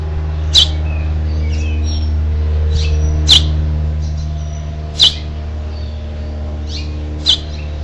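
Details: A house finch parent encourages the final fledgling to leave its nest, 12 June 2007: four sharp high chirps spaced about 1.5 to 2.5 seconds apart, mixed with faint short twitters and a steady low hum.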